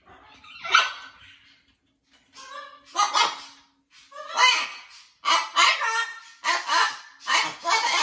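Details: A blue-and-yellow macaw adjusting to its new flock at a parrot rescue, with plenty of parrot talk around: irregular hoarse, nasal squawks building into a run of loud raspy calls about once a second.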